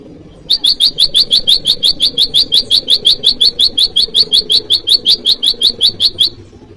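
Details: Bar-winged prinia used to lure wild prinias and as training audio for cage birds, calling to a rival: a long, steady run of sharp, high chip notes, about three per second, lasting nearly six seconds over faint low background hum.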